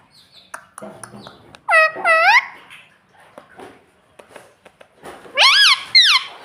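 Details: Pet parrot indoors imitating the words "mummy" and "papa": two loud, arching, harmonic vocal phrases near two and six seconds, separated by quieter murmuring speech-like sounds and soft clicks.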